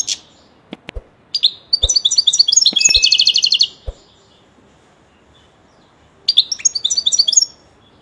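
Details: Pet European goldfinch in full song, a rapid run of tinkling, tightly repeated high notes forming a twittering trill, a pause, then another trill burst; scattered dull clicks and knocks in the background.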